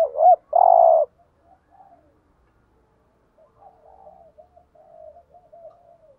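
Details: Lure spotted dove for attracting wild doves gives one loud wavering coo ending in a steady hum, followed by long faint soft murmuring notes.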